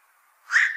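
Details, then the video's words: Brief harsh croak of a black-crowned night heron, a bird that eats much fish from ponds, starting abruptly and cut off while still sounding. "BLACK CROWNED NIGHT HERON CALL SOUND"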